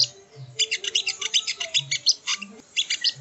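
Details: Sogo ontong (sogon) used as a training recording: a continuous stream of rapid high chirps and twitters, pulsing about five times a second, with faint low thumps behind.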